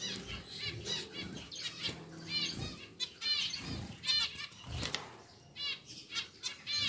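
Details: Caged pair of pied zebra finches in a newly moved-into bigger cage; bright, nasal stacked call notes repeat roughly every half second to second, between bursts of fluttering and bumping sounds.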